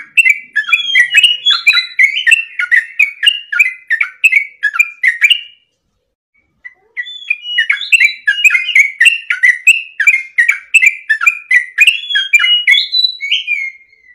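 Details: Sooty-headed bulbul singing vigorously as a tutor recording for caged birds. Two long bursts of rapid, chattering, warbled whistles are split by a brief silence near the middle.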